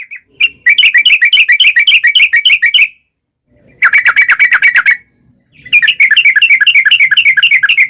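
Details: Yellow-vented bulbul singing a long 'ropel' chatter meant to make wild bulbuls reply: three extended runs of rapid, bubbly notes, each lasting one to two seconds, separated by brief silences.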